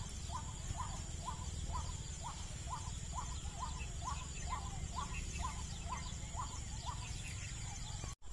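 White-breasted waterhen giving a steady run of harsh, croaking notes, about two per second, over a loud low rumble.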